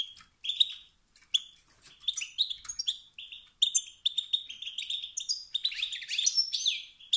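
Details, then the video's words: Male wild goldfinch 'stit' and 'bit' calls that drive other males to sing: spaced single chirps that build into a dense, buzzy twittering flow. "ستستات و بتبتات ذكر الحسون الخلوي التي توقد النار في الذكور الاخرى"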